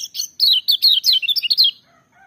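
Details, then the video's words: Lemon-bellied white-eye singing loudly at full power, a rapid, bright run of about ten short, slurred chirps, each sliding downward, delivered over roughly one and a half seconds and then breaking off into quiet. "Kecial Kuning joss gacor menggelegar tapi merdu"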